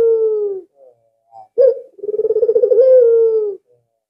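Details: Albino Barbary dove, used to lure other doves, uttering a short coo, then a sharp note leading into a long trembling, purring coo that steadies before fading.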